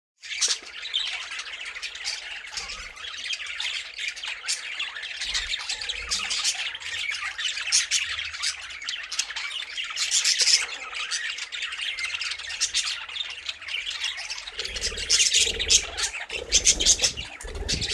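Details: Several pet Budgerigars in a first breeding attempt, busy with their nest boxes but no eggs or chicks yet, keep up a busy stream of high, scratchy chirps and squawks.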